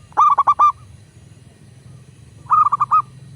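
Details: Local zebra dove, a recording used to prompt doves to sing quickly: two bursts of four to five short, rolling, mid-pitched coos, one at the start and one about two seconds later, over a low steady hum.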